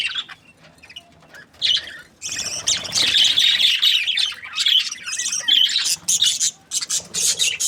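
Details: Several budgerigars chatter and chirp, soft calls at first, then a dense, continuous stream of warbling, squeaky notes with scattered sharper chirps.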